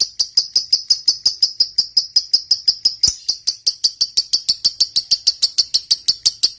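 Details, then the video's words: Lovebird fighter song, the long 'ngekek' trill used to provoke other lovebirds; rapid piercing high notes repeated steadily around three per second, with a short harsh break midway. "Suara Burung Lovebird Ngekek Panjang, PINTAR Memancing EMOSI, LB Bisu SUSAH BUNYI Langsung NYAUT"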